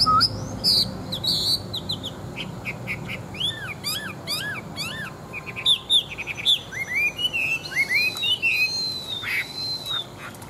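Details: Chinese hwamei, a large wild-caught forest bird kept as a fighting bird, singing a varied song of rising and falling whistled phrases and quick repeated notes with high sharp chips.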